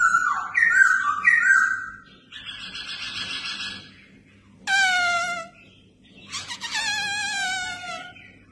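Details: Red-whiskered bulbul kept for fighting-contest training: a few bright whistles give way to a buzzy chatter, then two harsh nasal descending calls with strong overtones.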